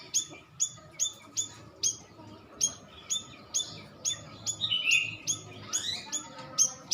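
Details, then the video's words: Cucak rawis bulbul lure call for drawing quick replies: a steady series of sharp, high chirps about twice a second, broken briefly by a short warble, with faint background noise. "Suara pancingan paling ampuh biar cepat nyaut,burung cucak rawis"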